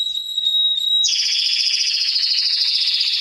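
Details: Canary song used to train young birds: a steady high whistle with brief breaks, then a long, dense, rapid buzzy trill held for two seconds.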